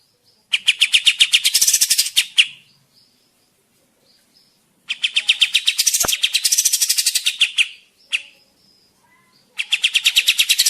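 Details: Kapas tembak bird in vigorous song, suited to luring in the forest or training other birds: three long bursts of rapid, high, rattling chips separated by quiet pauses of a few seconds.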